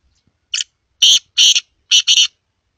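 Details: Black francolin calling: one short, harsh, high note followed by two pairs of loud, rasping grating notes in quick succession, against a silent background.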